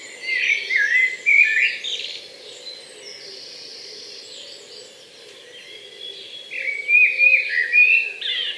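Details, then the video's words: Common blackbird in a Hampshire, UK garden in 2020 singing two rich, warbling phrases separated by a quiet pause, the second ending in a higher twitter, over a steady low background hum. "the black bird song is a beautiful melody and one of my favorite to hear [Music] [Music] they"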